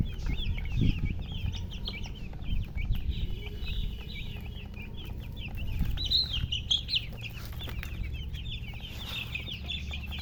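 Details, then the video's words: Group of baby chicks chirping continuously, rapid high peeps with a few louder, sharper calls partway through, plus low rumbling and occasional knocks. "Baby "Chicks Chirping" Sound"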